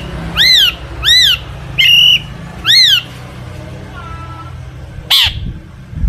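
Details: Long-tailed shrike singing a full mimicry-rich song to provoke other shrikes into singing: four loud arched, rising-then-falling whistled notes about once a second, a soft low whistle, then one sharp high note.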